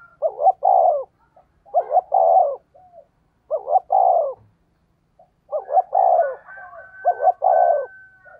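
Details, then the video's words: Spotted dove decoy call, fast 'thúc gù' cooing in the 'giọng thổ đồng' style: low, mellow phrases of two quick clipped notes and a longer throaty coo, repeated in clear groups with short pauses between them. "tiếng cu gáy mồi chuẩn, cu gáy thúc gù giọng thổ tốc độ"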